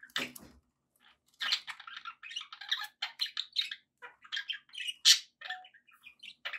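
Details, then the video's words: Pet budgerigars in a steady stream of warbling chatter: quick, scratchy, high notes run together with short clicks and squeaks, opening with a brief rustle and broken only by one short gap. "relaxing budgie sounds"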